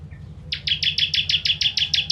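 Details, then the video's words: Ciblek, or bar-winged prinia, singing a sharp 'tembakan' burst for training contest birds: about ten loud, buzzy, high chips in quick succession after a brief faint note, with a low background hum. "Ciblek Kristal Tembakan Pedas Cocok Untuk Masteran Burung"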